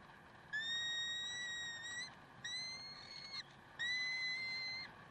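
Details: Karlsruhe peregrine falcons, 30 May 2010 at 7:27: three clear, drawn-out whistled wails, each one to one and a half seconds, level then slightly rising, with strong overtones above a soft hiss and hum.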